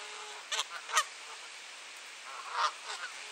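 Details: Geese fighting over territory on a clear, cold April 2023 morning in Sainte-Adèle, Quebec, Canada; two loud nasal honks close together, then a pause and a third honk with a short trailing note, over faint steady hiss.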